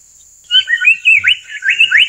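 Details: Amur paradise flycatcher (Terpsiphone incei), call.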